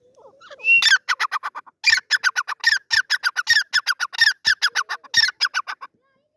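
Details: Partridge, called teetar locally, giving a loud harsh call of rapid repeated squawking notes in bursts, strongest between about one and six seconds, with a faint soft sound before the calling begins.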